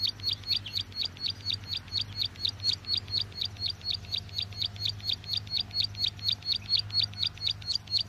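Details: Bar-winged prinia call used to lure birds into traps, a continuous, regular series of high thin chirps around three per second, with a steady low hum in the background.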